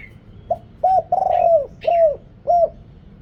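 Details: Spotted dove, a deep-voiced decoy bird from Thailand, cooing to lure wild doves: a short note, then arched, mellow coos including one long rolling coo, in a series of about five notes over three seconds.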